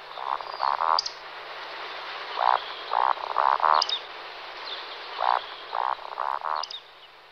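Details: Two male Eurasian woodcocks in roding display flight: rhythmic groups of low, rasping grunts, each capped by a brief high-pitched squeak, the pattern repeating steadily about every three seconds.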